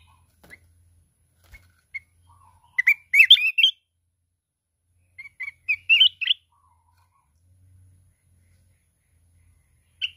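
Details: Red-whiskered bulbul of the mountain type in contest song, wings flapping nonstop, with a wild-style 'kít bổi' voice. Scattered single chirps lead to two rich, slurred, bubbling phrases about three seconds apart, and short notes follow.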